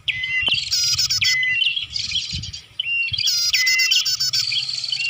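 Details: Lure sound of the Bar-winged prinia, used to attract birds: rapid bright chirps, about four a second, alternate with loud, harsh, stacked bursts. The calling is layered and almost unbroken, with a brief dip near the middle.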